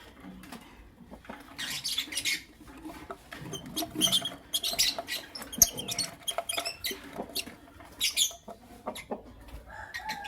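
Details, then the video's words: Morning chatter of Creamino and Lutino Opaline lovebirds: dense, harsh, scratchy chirps in rapid bursts through the clip, mixed with rustling and pattering sounds. "Lovebird Chirping Sounds"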